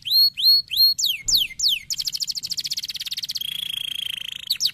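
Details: Canary song meant to make silent canaries sing: rising then falling whistled phrases, a rapid rolling trill, a long steady high-pitched tone, and a final sharp downslur.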